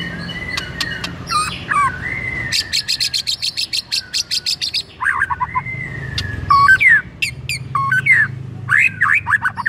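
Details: White-rumped shama singing as a trigger for another shama: long varied phrases of loud slurred whistles, sharp chips and a fast buzzy rattle of repeated notes, with brief gaps between bursts.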